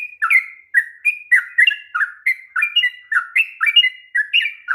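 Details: Sooty-headed bulbul in long rapid 'ropel' song, used as a lure for birds reluctant to sing: continuous bright whistled notes, each sliding down in pitch, tumbling out several per second in an unbroken chatter on a clean background.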